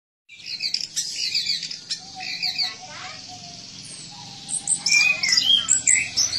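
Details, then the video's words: Orange-headed thrush song used for training and therapy of caged birds: dense high chattering phrases and rapid trills, a thin descending whistle, then a quieter stretch before bright varied chirps and squeaky notes return. "Anis Merah Gacor Dan Teler Cocok Untuk Masteran"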